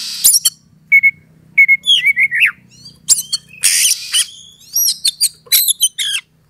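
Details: Oriental magpie-robin lure song to provoke a rival to fight, with sharp clicks, repeated steady whistles, a warbled run, harsh hissing bursts and rapid high chips; a faint low hum underneath.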